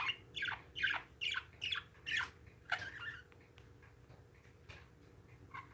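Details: Pet parakeets giving a run of harsh, squawky chirps, about six loud notes in quick succession over the first three seconds, then fainter scattered calls, with a steady low indoor hum behind.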